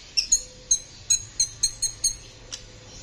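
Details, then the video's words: Sunbird (Kolibri ninja) gives a rapid series of about nine crisp, very high ticking chirps, roughly evenly spaced, in a steady repeated pattern. "Masteran Kolibri ninja gacor ngeroll juara"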